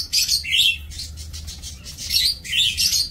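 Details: Breeding-aviary lovebirds, 2 October 2024, chatter in rapid, shrill, slightly rising squeaks, nearly continuous over a few seconds, with low hum beneath.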